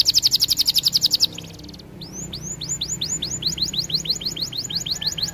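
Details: Canary song used for training: loud buzzy rapid trill, brief pause, then a long steady series of curved rising notes repeated about four times a second.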